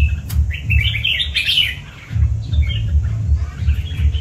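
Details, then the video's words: Red-whiskered bulbul ('cọp' type) warbling a bright, tumbling phrase of slurred notes, then softer fragments, over a steady low mechanical throbbing. "Bản Lĩnh Chào Mào Cọp: Sự Kết Hợp Hoàn Hảo của Nét và Bộ Lông Đẹp"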